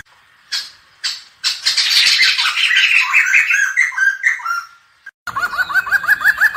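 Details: ['Black-hooded laughingthrush song: two short harsh bursts, then a long loud jumble of chattering, whistled notes. After a cut, a fast run of rising chuckling notes repeats about three times a second.']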